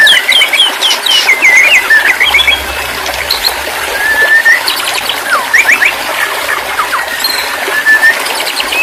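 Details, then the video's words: White-rumped shama (murai batu), therapy recording for a stressed, silent bird: varied whistled phrases and short trills over a dense, hissing background that sounds like running water. "terapi burung murai batu stress/ macet bunyi auto bunyi kembali"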